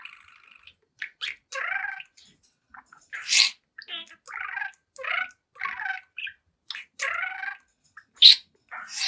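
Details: A young pet budgerigar chatters in front of a mirror: buzzy, slightly nasal warbled phrases alternating with short rasping notes and clicks, in uneven bursts separated by brief pauses.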